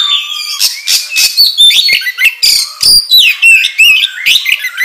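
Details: Lure recording of an oriental magpie-robin singing hard: a rapid, varied stream of whistled sweeps, upward and downward slurs and scratchy notes, nearly continuous with quick clicks between phrases.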